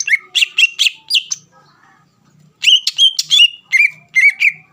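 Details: Provoking song of a kept greater green leafbird: quick bright whistles with sharp upper overtones, a soft gap of faint chatter, then another fast string of clear, slurred notes.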